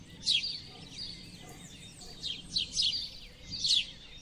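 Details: Several house sparrows giving short, high, downward-slurred chirps, loudest at the start and in a cluster near the end, against light background hiss.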